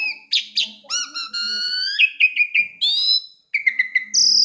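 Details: A songbird sings melodious clear whistled phrases. Short chirps lead into long, slightly rising notes, then a quick series of repeated falling notes and a final high sustained whistle.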